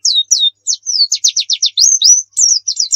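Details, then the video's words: White-eye (pleci) 'nembak' song: high, sweet notes delivered fast, with slurred whistles, a quick run of sharp repeated chirps, and rising phrases, about four notes a second. "Masteran Pleci Nembak"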